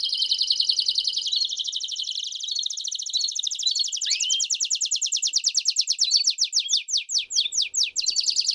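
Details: Canary singing campainha song with chirps as a tutor for young canaries: a long steady high roll that shifts into a slower pulsed trill, with scattered rising chirps and a sharp upswept whistle.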